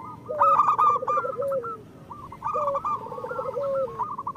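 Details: Local zebra doves singing as a tutor for lazy or molting birds. Two bursts of bubbling coo trills, each with a rolling purr underneath, from several overlapping doves.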